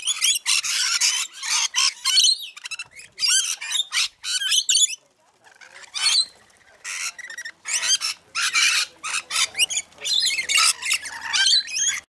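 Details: Rainbow lorikeets feeding, giving harsh, broadband screeching squawks in dense overlapping bursts, short rapid chatter interspersed with louder screeches, nearly continuous with a brief pause near the middle.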